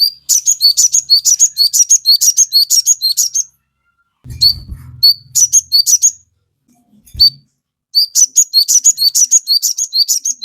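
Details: Crested jay (sogon) in energetic song intended to provoke birds to respond: long trains of quick, sharp high chips in bursts separated by pauses, with a brief low thump.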